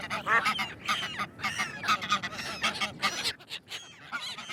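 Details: Ducks calling together in a noisy flock, dense overlapping nasal quacks and honking notes in quick bursts, with a brief lull near the end before more calls.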